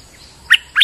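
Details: Bulbul kept as a lure bird, recorded on a rainy day, gives two sharp, bright chirps a quarter second apart, each with a quick falling, slightly rough quality, against soft background hiss.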